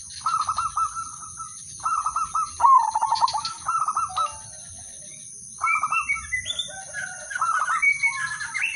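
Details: Udanmas silver zebra dove song used to lure other doves into singing: several fast pulsing coo phrases about a second apart, then a pause, followed by more phrases mixed with higher whistled calls from other birds.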